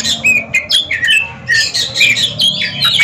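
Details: At a singing competition two caged Oriental magpie-robins go head to head: short rising and falling whistles mixed with buzzy chatter, more than two phrases a second, against low crowd-like noise.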